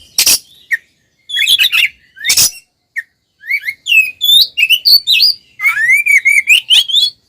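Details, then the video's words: Loud oriental magpie-robin fighting song, meant to make other males agitated: two harsh rasping bursts, then an accelerating string of high, bending whistles that ends in a rapid, rising warble. "SUARA BURUNG kacer gacor NGEPLONG TARUNG konslet paling AMPUH buat PANCINGAN KACER agar EMOSI"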